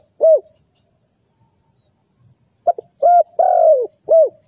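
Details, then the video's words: Spotted dove kept as a trapping decoy calls one isolated coo, then after a pause a full phrase of short stuttering notes, a long sliding coo and a closing rounded note. "The Sound Of A Spotted Dove is very good"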